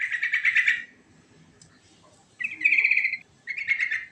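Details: Rolling 'ngerol' song of a yellow-vented bulbul (trucukan), said to quickly draw answers from other birds: three clear, fast, chattering phrases with short gaps between them, loud against near silence.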